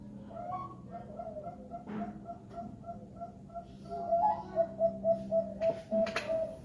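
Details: Zebra dove giving song of the 'Baeya' style, steady short cooing notes rising into a louder rapid staccato roll near the end, with muffled room noise and a few clicks behind.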